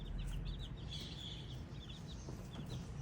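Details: Young chicks peep rapidly, each chirp a brief high sweep, several birds overlapping in quick succession above a steady low-pitched background drone.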